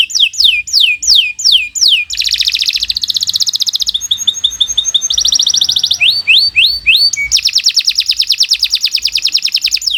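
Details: Canary delivering long 'gacor' song for a training recording: repeated sweeping downslurred whistles, then dense rattling trills, a fast chirp series and rapid rolling buzzy phrases.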